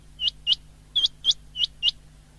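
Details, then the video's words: Common quail, recorded 19 February 2024, giving six bright, clipped, rising notes in close pairs over about two seconds, loud and clear above a faint constant low hum. "Best common quail sound of the year 2023"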